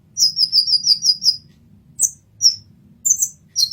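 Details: Brief masteran passage of an olive-backed sunbird (kolibri ninja): a fast trill of about seven high, ringing notes, then single sharp chirps spaced roughly half a second apart.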